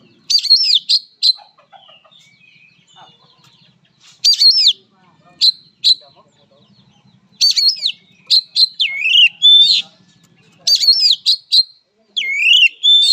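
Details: Fighting song of an oriental magpie-robin: bright high whistles that swoop up and down, crisp chip notes grouped in short bursts about every one to two seconds, with quiet gaps and faint low background noise.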